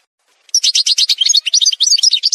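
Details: Rapid, continuous twittering song of an Algerian goldfinch (parva) from a song montage, bright chattering notes tumbling quickly after a half-second of silence.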